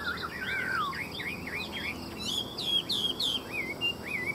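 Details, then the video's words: Chinese hwamei singing bright, fluid whistles: a falling slur, then repeated upturned loops and rising-falling notes, several phrases strung quickly together, clear above a soft hiss. "Hoa mi hót giọng hay"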